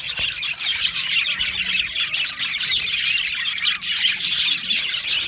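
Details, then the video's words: Colony of Australian budgies calling in their aviary: relentless high, scratchy chirping and warbling from numerous birds, overlapping densely with small rises and falls in intensity. "Beautiful Budgies Birds Chirping Sounds"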